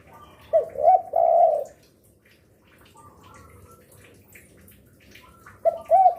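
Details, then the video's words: Spotted dove calling persistently through the day, used as a lure; one phrase of three coos with a long final note, a long quiet gap with faint chirps, then the start of another phrase. "Derkuku gacor rajin bunyi siang sore malam cocok untuk pancingan"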